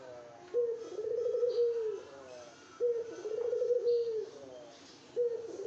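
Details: Spotted dove wooing a female with repeated throaty coos, three phrases spaced roughly two and a half seconds apart, each a short note then a pulsing, level purr; faint high chirps and room hiss.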